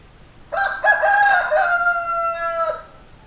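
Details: Rooster crowing: one loud cock-a-doodle-doo lasting over two seconds, with choppy opening notes leading into a long, steady, slightly falling final note, over a quiet background.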